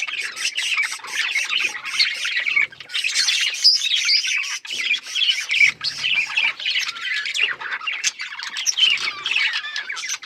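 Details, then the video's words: A steady hubbub from many Australian parrots: fast high chirps, squeaks and warbled phrases run together in dense bursts, with brief dips between them. "Beautiful Australian parrots video Birds chirping sounds"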